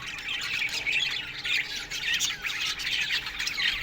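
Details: Quieter, more distant chatter of a budgerigar flock in an aviary in the morning, overlapping soft chirps and warbles blending into a steady murmur, with a faint constant low hum underneath.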